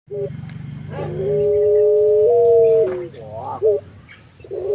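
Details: Puter pelung collared dove, an ornamental hobby bird, bobbing its head as it sings: after low murmuring, a long, steady, slightly rising hum-like coo drawn out for nearly two seconds, then a short quavering trill and clipped note.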